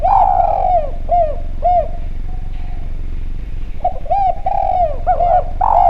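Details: Javan spotted dove in full voice, recorded as a lure sound to draw other doves into calling. Mellow, downward-curving coos are given in quick series, break off briefly, then resume with a stronger burst.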